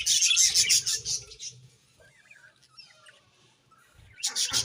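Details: A dense burst of shrill budgie chatter at the start fades to near silence with faint soft twitters, before a sharp new burst of chirps at the close.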